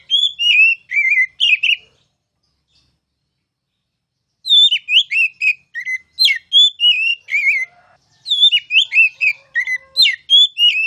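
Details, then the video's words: Caged oriental magpie-robin singing loudly in the ngeplong style: a short run of whistled notes, a pause of over two seconds, then long fluent phrases of rising and falling whistles and quick chirps. "KICAU MASTERAN KACER CALON JUARA!!!"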